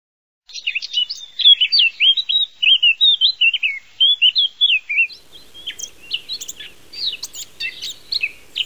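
Eurasian blackcap singing a rich, fluty warble of quick rising and falling whistles, breaking into a faster, scratchier jumble toward the end.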